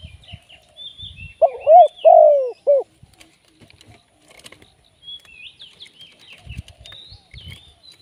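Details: Spotted dove serving as a live trapping decoy gives one mellow coo phrase of short, drawn-out falling and short notes. Scattered low knocks and frequent thin high chirps of other birds surround it.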